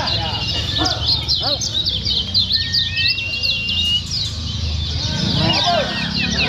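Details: Lemon-bellied white-eye from Lombok, Indonesia, in a contest-style lure song used to make birds sing: dense high twittering and quick chattering notes, a few long thin whistles, with low background rumble throughout.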